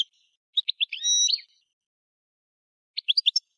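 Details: European goldfinch giving a few separated high chirps and a brief drawn-out nasal note, then a quiet gap and a short cluster of quick twittering notes.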